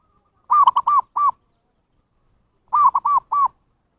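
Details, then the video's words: Zebra dove lure call used to attract wild birds: two bursts of three to four rapid, arched cooing notes, clear and ringing, the bursts about two seconds apart in a silent background. "SUARA PIKAT PERKUTUT นกพิราบชวา Chim Cu Vằn | memanggil burung liar"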